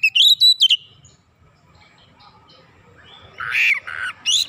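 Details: Oriental magpie-robin singing gacor as a pancingan lure: a clear sustained whistle with a short flourish, a long pause, then harsher buzzy notes and a final rising whistle.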